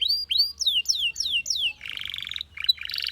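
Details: Belgian canary giving a run of five clear downslurred whistles about three per second, then switching to a rapid buzzy rattle with a short break.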